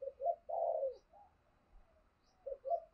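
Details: Spotted dove kept as a decoy to draw in other doves, cooing faintly: a soft low phrase with a longer, slightly falling coo, then another phrase starting near the end, over a faint background hiss.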